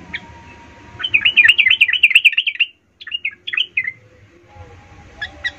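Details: Yellow-vented bulbul in full, agitated song, used to provoke and fire up other bulbuls: a fast, bright, chattering trill of rising and falling notes, then a few sharp separate chirps after a pause, with a low background hum.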